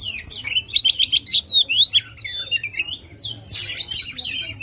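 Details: Oriental magpie-robin, loud contest bird song used to provoke rivals: fast repeated whistled notes around four per second, sweeping slurs, then a harsh rasping chattering burst.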